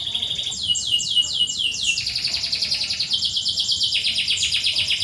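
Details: Canary chirping used to train canaries that seldom sing: looping down-slurred whistles repeated several times a second, merging into a steady high rolling trill.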